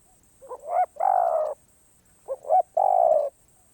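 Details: Spotted dove singing in the karom pa roi song style, described as off cue: two cooing phrases, each a couple of short soft hoots running into a long, loud, steady low croon, with a pause between phrases.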